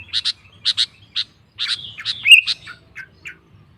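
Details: Sooty-headed bulbul song that provokes rivals to sing: paired sharp chips, then a short slurred, twisting whistled phrase, and a few fading notes.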